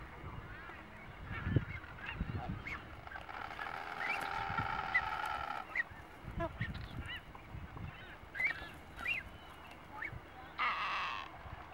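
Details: On Genovesa Island, Galapagos, adult Nazca boobies attacking a juvenile chick give harsh, honking calls, one long drawn-out and others short, over steady wind rumble and a few low thumps.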